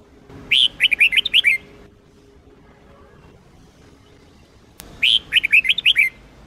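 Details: Red-whiskered bulbul, Sông Kôn song style, for daily training of bulbuls: two lively phrases of six or seven rapid, sweet whistled notes, separated by about three seconds of quiet, with a faint click before the second.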